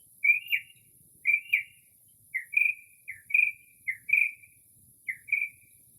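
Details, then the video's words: Northern mockingbird singing late at night in early spring outside a home, mimicking calls of various birds. Short whistled notes with quick downslurs, paired into two-part phrases repeated about once per second. A steady faint high hiss runs underneath in a quiet setting. "Northern Mockingbird Mimics Different Bird Calls"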